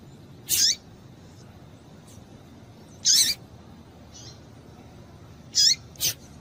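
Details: Calling female Double-collared seedeater, a call used to get males singing; four sharp, high chirps with falling tails, spaced about two to three seconds apart, the last two close together, on a quiet background.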